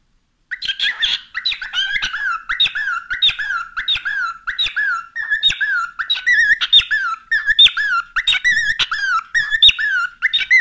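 A cockatiel chatters in a bright, squeaky voice, mimicking the human phrase "whatcha doing" among warbled notes.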